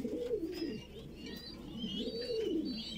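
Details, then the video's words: Feeding of a young Voorburg Shield Cropper pigeon: low, wheezy begging notes in two swelling bursts, while other birds add thin rising and falling whistles above. "baby pigeon feeding"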